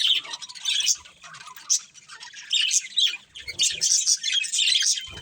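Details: Caged breeding pair of budgerigars chattering in bursts: bright, scratchy chirps and sharp squeaks rise and fall in quick clusters, with short pauses between flurries and a few low thumps.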